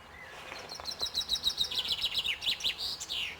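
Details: Common chaffinch song: a rapid descending series of bright, repeated chipping notes accelerating into a rattling trill and ending with a short flourish, faint outdoor hiss behind.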